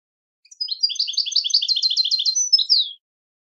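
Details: Steady rapid twittering from a European goldfinch, evenly spaced liquid chirrups in a two-second run ending with a descending slurred note, no background noise.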